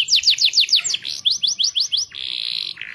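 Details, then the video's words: Canary song for stimulating other canaries to sing: a series of quick downslurred whistles, roughly five a second, followed by a sustained buzzy note and a lower short buzz. "Kenari Gacor Siang Malam Cocok Untuk Pancingan Paut dan Kenari bahan"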